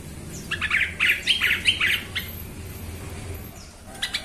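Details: Lure recording of a yellow-vented bulbul: a longer chattering run of rough, bubbly warbled notes lasting about two seconds, then quiet with a few faint high chirps, over low steady background hum.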